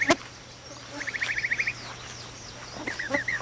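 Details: Mockingbird calling from a chimney at daybreak to its friends: a sharp harsh note, then a rapid string of about ten even chirps, with a few scattered calls near the end.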